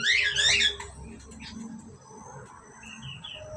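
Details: A pair of Asian pied starlings: a quick burst of loud, layered, warbling notes in the first second, then only faint scattered chirps over a low background hum.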